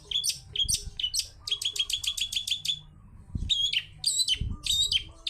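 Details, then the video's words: Ngalas-style Long-tailed shrike song: lively high chatter, a rapid string of about ten identical sharp notes, then varied bright chirps and whistles, with low thuds. "CENDET GACOR suara ngalas"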